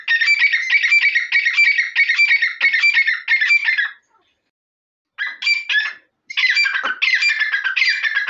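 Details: Grey francolin, called Dakhni or Irani teeter, giving a loud harsh rhythmic call of rapidly repeated grating notes for about four seconds. A short pause follows, then two more bursts of the same chattering phrases.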